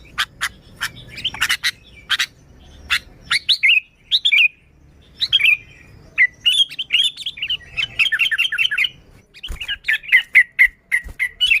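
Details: Sooty-headed bulbul singing, recorded to lure bulbuls: sharp clicks and short slurred notes at first, then rolling bubbly warbles and fast chirped runs.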